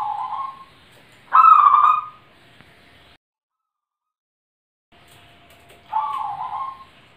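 A zebra dove gives soft, mellow cooing phrases, each under a second, with a brief silent gap between bursts.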